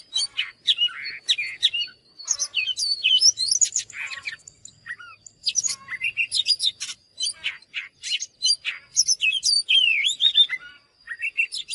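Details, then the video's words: Oriental magpie-robin singing a rich, fast, varied song of whistled and sharply slurred notes, dense bursts broken by short pauses, with a faint steady high tone running underneath throughout. "เสียงนกกางเขนบ้านหรือนกบินหลาขี้ควายใต้ [ Mới nhất ] Chòe than HÓT CỰC ĐÃ"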